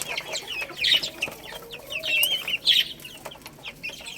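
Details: Baby chicks eating rice; high thin peeps, some sliding and warbled, come in scattered bursts among dry pecking clicks, with two louder chirps near the middle and end.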